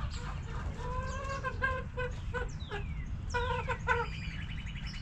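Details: Hens in a backyard coop clucking in short harmonic bursts and a slightly rising drawn note, while thin descending whistles and a fast trill from wild birds sound in the background over low rumble.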